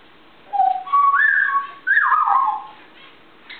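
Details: Morning whistling from an African grey parrot in high spirits on a kitchen table: a low note, then two longer whistled phrases that climb and slide downward, in a quiet room.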